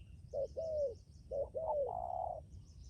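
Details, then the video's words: Spotted dove decoy bird giving two short-then-long coo phrases and finishing on a prolonged, level coo, with faint high twittering behind. "cu gáy mồi cứng gù hậu bền"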